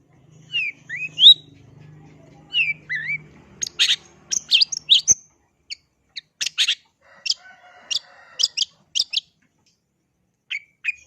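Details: Long-tailed shrike singing: short rising whistled notes, then a burst of sharp scratchy chips and clicks, followed by evenly spaced high ticking notes and a final upward whistle; a low steady hum runs underneath the first half.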